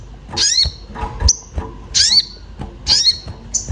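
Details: Orange-bellied flowerpecker calling in agitation while looking for a mate, used as a lure for singing birds: sharp, piercing high calls with bending tones roughly once a second, with thin short chips between them.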